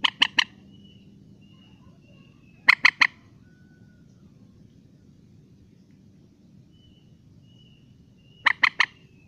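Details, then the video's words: A rail gives harsh, clucking triple notes in quick bursts, repeated a few seconds apart over quiet background hiss. "suara burung mandar"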